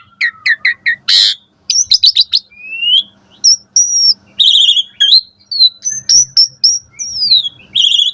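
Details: Asian pied starling singing in the morning, a lure recording for training caged birds: a rich, varied medley of clear whistles, rising and falling slurs, rapid chirps and one harsh buzzy burst.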